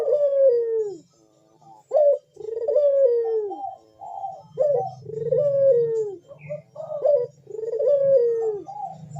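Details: Repeated manggung calling of a spotted dove with a powerful 'bekur' voice, used as a calling lure: steady sequence of deep, downslurred coos punctuated by short hiccup notes, over a faint low hum.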